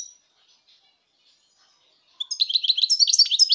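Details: Faint scattered notes give way to a loud outburst of European goldfinch song, recorded 2019: a rapid stream of bright, jangling, high twittering notes continuing to the end.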